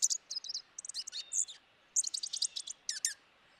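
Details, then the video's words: Dark-eyed junco chattering in two bursts of rapid, high, uneven chips and twitters, over a soft background hiss. "How does Black eyed Junco sound? | Bird Call | Chatter Sounds"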